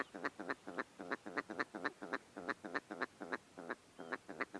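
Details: Willow Ptarmigan calling: a steady run of nasal, duck-like barking notes, about four per second, each with rich stacked overtones, over a quiet background.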